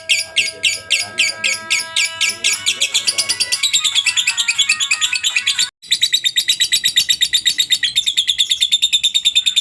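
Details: Long ngekek from a lovebird, a master recording to get other lovebirds singing: steady whistled tones from another bird at the start, then a rapid, evenly pulsed high chatter that breaks briefly and resumes just as fast.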